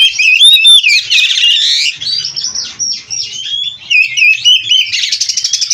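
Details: Oriental magpie-robin, bred in captivity and of Cirebon race, singing nonstop with rich varied content: loud high slurred whistles, rising and falling sweeps, buzzy trills and quick repeated chips, with faint low thumps underneath.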